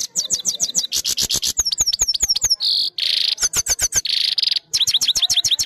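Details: A trained European goldfinch singing, recorded on a phone camera: a fast run of bright, high twittering notes, with repeated downslurred chips, buzzy trills and short nasal rasps woven into a continuous, lively phrase.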